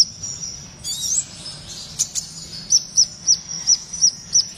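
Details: Kept blue-tailed minivet singing in trotol style: a burst of high, jumbled chirps, then a run of six sharp, high chips, each about half a second apart, over faint low background hum.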